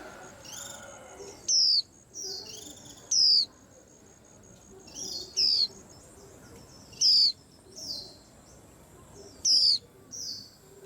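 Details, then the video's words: Lively white-eye commotion, with five loud, high, falling whistles about two seconds apart, interleaved with softer high notes from several other birds. "Tiếng Chim Khuyên Làm náo loạn cả giàn"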